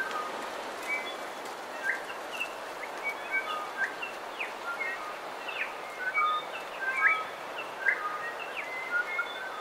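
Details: Bellbirds in a coastal dawn chorus, with song and calls: many clear whistled notes and short upward slurs from several birds overlap and repeat irregularly over a steady background hiss.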